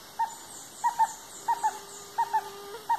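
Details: Stresemann's bristlefront, a female called the last of her kind: short mid-pitched whistled notes in pairs and singles, spaced irregularly about every half second, with a faint low steady tone and soft background hiss.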